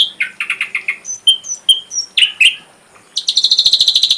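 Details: Ashy drongo tutor song: choppy scratchy notes, clear high whistles and a slurred buzz, then an abrupt, very rapid high trill that runs to the end.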